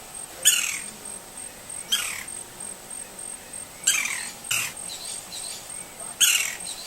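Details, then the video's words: Wild green-barred woodpecker in natural habitat in Brazil: five harsh, scratchy notes, each sweeping steeply downward, spaced irregularly one to two seconds apart. A steady high insect-like whine runs underneath throughout. "GREEN-BARRED WOODPECKER Sounds (COLAPTES MELANOCHLOROS), PICA-PAU-VERDE-BARRADO"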